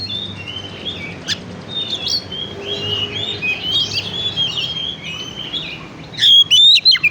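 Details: Lure song of an oriental magpie-robin for stimulating birds: soft, rambling high warbles and whistles that end in a few loud, sharp, piercing notes, faint low hum underneath.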